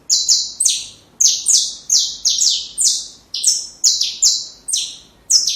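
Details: Rapid, shrill song of a saffron finch for training young birds, with loud high notes sloping downward, repeated in tight clusters with very short pauses throughout.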